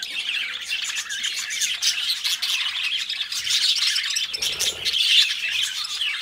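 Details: Budgerigars kept as pets chattering together: a dense, continuous wash of warbling, scratchy chirps and squawks with no pauses, several birds overlapping.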